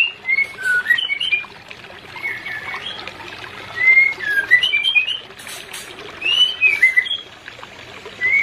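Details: Shama song aimed at stimulating an unreceptive breeding pair: scattered bursts of bright whistled slurs and short warbled phrases separated by quieter gaps, with a hissing background and occasional faint high clicks.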